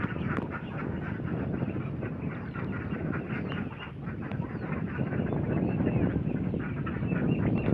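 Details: A flock of ducks from Assam, India, calling nonstop: rapid, hoarse quacks overlap into a continuous chatter, with a constant low murmur of farmyard noise underneath.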